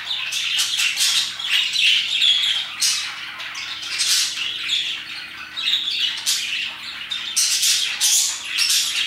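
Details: Parakeets chirping around 2pm, a dense chorus of harsh, scratchy high chirps and squawks in overlapping bursts, swelling and fading every second or so with a faint low hum beneath.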